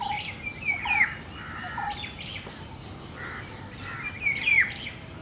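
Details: A golden oriole in breeding season gives two fluty, liquid whistled phrases with a downward slur, about three and a half seconds apart, over a steady high insect drone.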